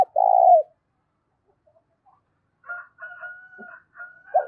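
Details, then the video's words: A spotted dove gives a single long, low, hollow coo in a loud, clear voice meant to rouse decoy birds. A long, higher, drawn-out call from another bird follows, and a coo starts at the very end. "tiếng cu gáy kích bổi mỗi ngày giọng to rõ ít tạp âm"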